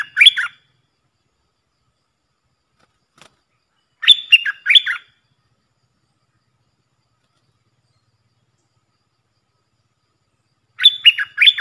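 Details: Decoy Puff-throated bulbul heard for training fledglings: short phrases of two or three slurred, chirping notes, repeated roughly every four to six seconds with quiet gaps between.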